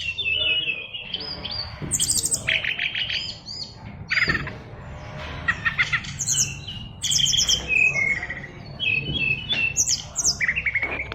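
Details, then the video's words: Caged fighter oriental magpie-robin sings an 'isian luber' medley of harsh rattling bursts, squeaky whistles and quick repeated notes, set against steady broadband background noise. "SRDC Fighter isian luber"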